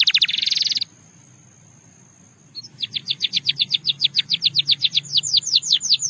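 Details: Russian singing canary, a bird used for canary training, singing: a short dense buzzy trill, a pause of nearly two seconds, then a fast run of sharp, bright chirps that repeat quickly and grow louder toward the end.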